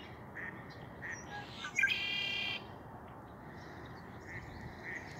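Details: Red-winged blackbird at Lake Josephine in Billings, Montana: a few soft, low chuck notes, then a loud harsh buzzy trill lasting under a second, with steady broad background noise throughout.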